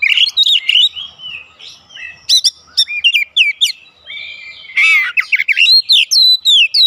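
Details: Oriental magpie-robin delivering lively 'ngeplong' song to trigger a response from birds at home: sweet slurred whistles and clicking chips, a brief pause, then a harsh buzzy burst followed by fast, varied looping phrases.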